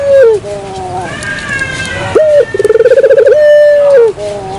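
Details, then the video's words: Lure call of a dove, opening with a falling coo, then a sharp rising note, a quick purring trill and a long level coo that drops away at the end. "suara pikat burung puter"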